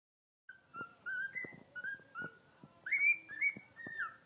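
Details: Newly rescued pet bird singing a song thought to imitate guinea pigs: a series of short whistled squeaky notes, some rising, repeated about twice a second, with faint clicks in a quiet room.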